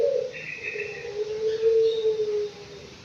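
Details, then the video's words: Aviary-kept Anggungan, five months old, holding a long, low, steady cooing tone for over two seconds, with a fainter higher rasp near the start. "BURUNG ANGGUNGAN USIA 5 BULAN"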